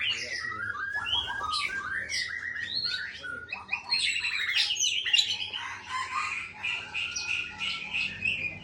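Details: Aceh white-rumped shama held in a breeding aviary delivers a rich, continuous song of quick whistled phrases, sharp rising and falling notes, and scratchy trills packed closely together.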